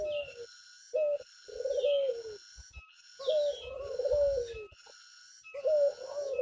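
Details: Tame Barbary dove calling outdoors, deep mellow coos in a short-then-long pattern, the long note wavering and sinking at its end, repeated several times while a thin high whine runs steadily behind.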